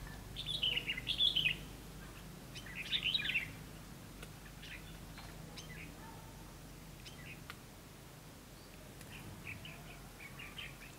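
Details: Red-whiskered bulbul singing as a lure during trapping on 9 September 2016, opening with two loud warbled bursts, then trailing into faint distant chirps over low background hum.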